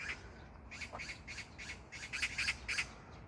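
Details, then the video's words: Magpie calling in a neighbourhood park in Gyeyang-gu, Incheon, South Korea, on June 19, 2022: a rapid series of harsh, rattling squawks, about a dozen in quick succession, growing louder toward the end, over a quiet outdoor background. "magpie sound(까치소리)"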